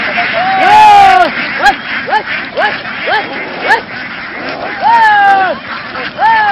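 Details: Flock of laying ducks in Vietnam, herded across the fields and onto a boat to move on; loud, nasal quacks with arched tones come in quick overlapping bursts, some drawn out, over a steady background hum.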